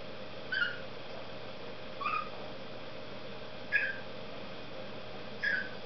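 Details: Cockatiel singing a series of four short whistles about every one and a half seconds. Each note slides or bends in pitch and carries bright overtones, heard over a steady low background hum.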